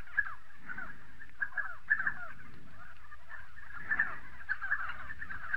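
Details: Spotted sandgrouse in South Morocco: repeated short, throaty, liquid call notes given in loose clusters, some paired and quick, with brief gaps between bursts, over a low steady rumble.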